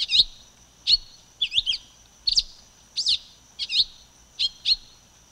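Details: Song of the silver-beaked tanager, a Thraupidae passerine: a run of about eight bright, high chips, often paired, spaced under a second apart, over a faint continuous high-pitched hiss.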